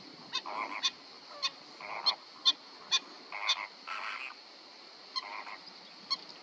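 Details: Black-winged stilt giving sharp, clipped yelping notes mixed with harsher nasal, honking bursts, irregularly spaced about twice a second over several seconds, against a steady high hiss.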